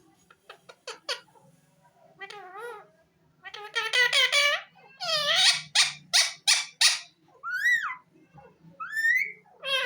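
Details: Captive green ring-necked parakeet talking indoors, repeating a phrase in rapid harsh syllables, with nasal harmonic-rich bursts and rising whistled notes toward the end.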